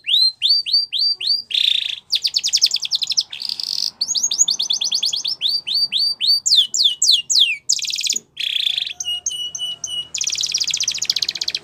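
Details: Spanish Timbrado canary song for training young canaries, long varied phrases: repeated curved whistles, dense buzzing rolls, fast clicking trills and steady tinny rattles, with brief pauses between sections.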